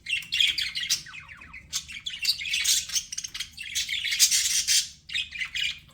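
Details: Budgerigars kept as pets chirp and warble continuously, with fast scratchy trills, squeaky whistles and buzzing chatter in overlapping waves.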